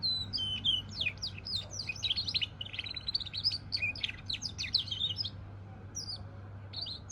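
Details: Goldfinch × canary hybrid singing: a fast, continuous run of high twittering notes and sharp chirps, bright trills packed closely together, with a steady low hum underneath.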